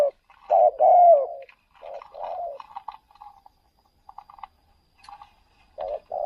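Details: Spotted dove, a decoy bird taken out to another province to lure wild doves, giving low mellow coos: one loud rolling phrase, then softer, fainter coo notes scattered through the quiet, ending with two loud coos.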